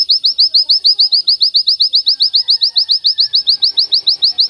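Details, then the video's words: Oriental white-eye tutor recording of a long continuous song burst: high, sweet, slightly rising chirps, several per second at a steady pace, with faint background sounds beneath. "masteran pleci tembakan sejalur panjang"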